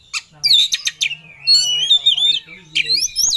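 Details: Fired-up Oriental magpie-robin seeking a rival: quick stabbing chips lead into a long sustained whistle that wavers and climbs, then more sharp upswept notes, with a faint low hum beneath.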